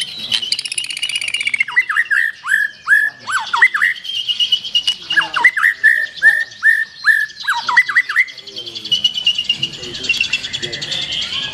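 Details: Strongly delivered song of a black-tailed white-rumped shama: a string of loud, clear, downward-slurred whistles in uneven bursts, with high twittering notes layered above and a hissy background toward the end.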